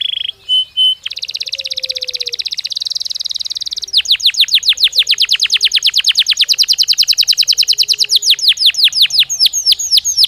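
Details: Belgian canary song used as a daily training stimulus: two short whistles, a dense buzzing roll, then a long series of quick down-sweeping notes repeated several times a second.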